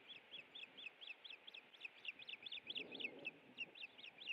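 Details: Afternoon fish dinner at a Montana osprey nest, late April 2017: rapid, insistent whistled chirps, about three per second, with a low rustling noise in the middle.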